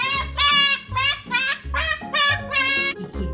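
Lively jazzy music with rich harmonic tones and a steady beat, with no animal voice standing out.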